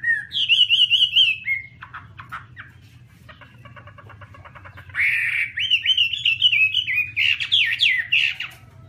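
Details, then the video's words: Chinese hwamei (Garrulax canorus) sings a loud, rich, varied song of slurred whistles, rapid trills and buzzy notes, phrases tumbling one into the next over a low background hum. "Garrulax canorus/ Birds singing"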